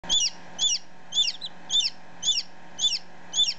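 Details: Newly hatched domestic chick, about ten minutes old, recorded close up: high, clear peeps, each a short falling-then-rising note, repeated steadily about twice a second over a faint steady hum.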